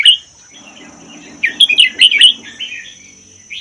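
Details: Song of a red-whiskered bulbul from the Vietnam-Laos forests, kept one year, about 80% doubled: a loud opening note, soft warbles, then a burst of four or five emphatic bubbling phrases, with a faint low hum throughout.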